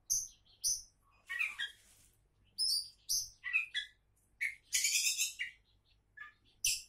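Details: Oriental magpie-robin, a champion-candidate bird, singing a varied run of short whistled notes and sharp chirps, mixed with a few harsh buzzy bursts, delivered in quick, irregular phrases with brief pauses between them.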